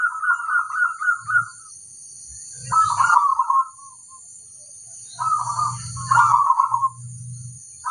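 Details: Rolling, tremulous cooing from a local zebra dove, delivered in bursts of rapid pulses with quiet spaces between. A continuous shrill background tone is present.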